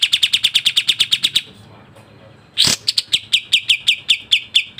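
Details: Sooty-headed bulbul in the rapid 'kapas tembak' style: a fast burst of sharp chirps, a quiet pause, a loud harsh noise, then another quick series of descending chirps.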